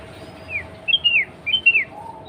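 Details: Female sooty-headed bulbul calling to the male, used as a lure to set bulbuls singing: two quick groups of clear, slurred whistled notes, each group of three or four notes falling at the end, over a faint background hum.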